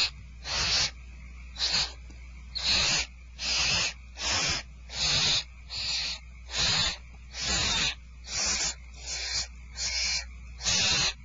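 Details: Barn owls at Starr Ranch at feeding time, recorded 2/1/12: harsh, broadband hissing screeches, each about half a second long, repeated roughly every second in an uneven series, several overlapping voices, with a steady low hum beneath.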